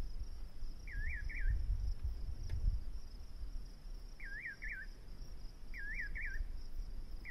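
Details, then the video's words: Nightjar call: paired wavy whistles repeated three times at intervals of about two seconds, plus a final faint note, over a constant high-pitched insect trill and low rumble. "Nightjar bird | liibaan garabey | ugubi"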